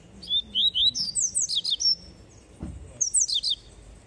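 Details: Double-collared seedeater singing the tui tui song style: a rapid run of high, clear, slurred whistled notes that rise and fall, a short pause, then another bright burst of similar twittering notes. A brief low thump is heard midway.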